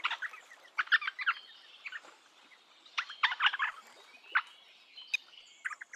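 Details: Eastern rosella in its natural forest habitat giving short clusters of rapid, scratchy chattering notes, broken by pauses and a few sharper high notes.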